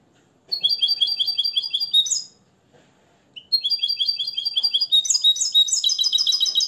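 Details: Captive, hand-reared Moroccan goldfinch singing its taught limpio song, based on Tarkiba Dahabia 2020. An evenly paced run of crisp double notes ends in a higher flourish, a brief silence follows, and a longer, denser twittering trill fills the remainder.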